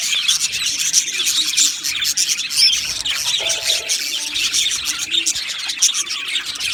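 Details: Aviary budgerigars in a colony, dense high chirping and warbling with occasional louder squawks over a faint low hum.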